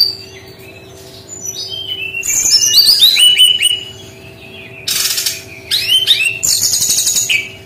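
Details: Song of a brown-chested jungle flycatcher in the unusual 'tembakan' (shooting) style: rapid runs of clear whistled notes tumbling downward, broken by sharp rustling bursts and further high trills, with a faint electrical hum throughout.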